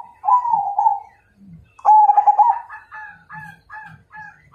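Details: Majapahit zebra dove singing to challenge a rival: a smooth wavering coo, then a stuttering trilled phrase that breaks into a row of short, evenly spaced higher notes fading toward the end.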